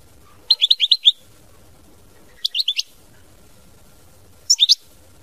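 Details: European goldfinch uttering three short groups of high, clear twittering notes about two seconds apart over a soft low background rumble.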